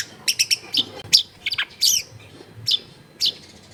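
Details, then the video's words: Long-tailed shrike in full mimicry-rich song, recorded at a home in a crowded residential area: bright, high chirps and short scratchy notes in irregular bursts, some quick triplets, with faint background hum. "CENDET GACOR FULL ISIAN MEWAH COCOK BUAT MASTERAN CENDET MACET BUNYI AUTO MENJERIT"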